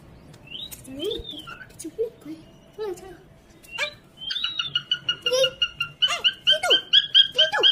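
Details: Parrot kept at home while playing with a baby: scattered squeaky calls and low murmurs at first, then a rapid string of sharp, evenly repeated chirps for the last few seconds.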